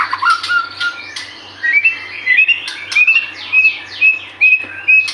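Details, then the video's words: Singing White-rumped shama used as a lure to make birds sing: a series of clear rising whistles about half a second apart, interspersed with sharp downward chips and scratchy notes. "Pancingan murai batu gacor 🔥 Burung auto bunyi"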